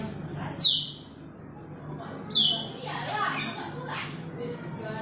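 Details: Asian glossy starling calling a rival with two strong falling whistles, followed by quieter scratchy chatter and background hum.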